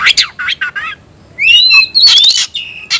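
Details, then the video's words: White-rumped shama crying out to a fighting opponent, with short scratchy twitters followed by a long rising whistle and a harsh buzzy burst. "Teriakan KACER panggil lawan tarung"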